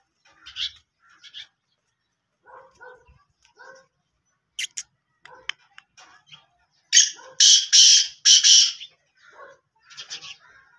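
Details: Black francolin calling: a mix of short chirps and clicks, then a run of loud, harsh, grating bursts around the middle, followed by softer chirping notes.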